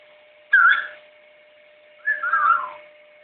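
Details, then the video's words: A pet blue-and-yellow macaw whistles, giving two warbling, wavering whistles about a second and a half apart, with a steady electrical hum in the background. "my blue and gold whistling"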